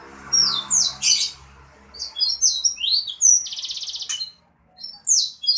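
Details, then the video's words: Sanger bird singing lively (gacor): sharp downward-slurred whistles, a harsh burst, a run of quick varied notes, a fast even trill, then further high slurred whistles. "Burung sanger gacor dor !!!"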